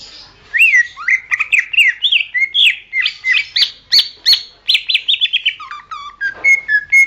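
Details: Greater green leafbird masteran song for training songbirds: lively, varied whistled phrases with quick up-slurred notes and chips, ending in lower clear whistles.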